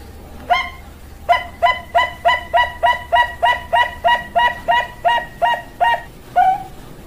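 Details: Zebra dove, Bangkok perkutut variety: a single lead note, a pause, then about fifteen punchy, evenly spaced coos at a brisk pace, finishing on a longer, higher-ending note. Steady low background noise.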